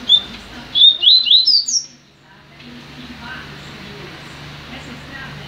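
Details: Caged double-collared seedeater in a new cage: one short, clear phrase of whistled notes climbing from a steady tone into quick upward slurs, then quiet background hum.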